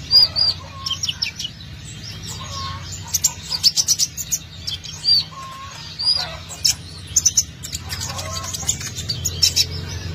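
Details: Lively sunbird song used to lure birds: bursts of thin, high, slurred chirps and quick ticking notes, with short pauses between phrases, plus softer lower whistles and a constant low background hum.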